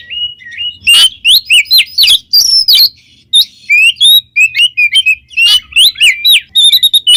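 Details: Oriental magpie-robin singing in the loud, free-flowing gacor ngeplong style: varied clear whistled notes, rising and falling slurs and short sharp chips in quick bursts, with brief pauses between phrases.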